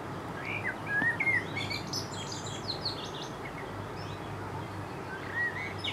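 Grey wagtail giving sharp, high, clipped call notes in scattered bursts, with a few lower chirps over a steady rushing background, likely running water.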